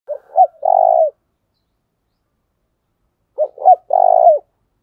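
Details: Decoy spotted dove with a thổ đồng voice, giving the thúc bổi calling coo: two phrases, each of two short hoarse notes and then a long, buzzy, level coo. The phrases are separated by about two seconds of silence.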